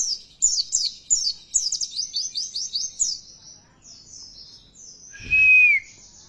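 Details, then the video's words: Oriental white-eye lure song used to provoke caged birds to sing: a rhythmic series of high, sharply falling twitter notes about three per second, a softer stretch, then a loud lower whistled slur. "Nyaut Pleci Kalian Di Rumah Bila Dengar Suara Pancingan Ini"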